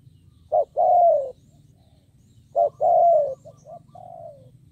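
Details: Spotted dove decoy luring wild birds: two loud phrases of a clipped note and a long, gently dropping coo, then several soft short coos ending in a fading drawn note, low hum behind.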